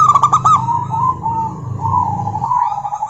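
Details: Local female zebra dove calling to a rival, with crisp quick notes opening into drawn-out, gently undulating coos at an even pitch over a low background drone.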